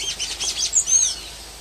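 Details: A wild Golden-chevroned Tanager singing freely in nature gives a quick run of high, thin squeaky notes, ending in a brief arched whistle.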